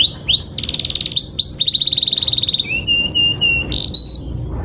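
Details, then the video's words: Canary singing to provoke other canaries into song: high upswept notes, then a fast even trill, a few spaced whistled notes and a final sustained high whistle. "pancingan kenari cepat gacor"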